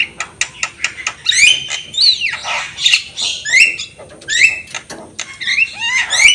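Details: Javan myna in full song with head-bobbing display, recorded as a training tape for other birds; dry clicks at first, then loud rising whistles and harsh rasping phrases repeated roughly every half second.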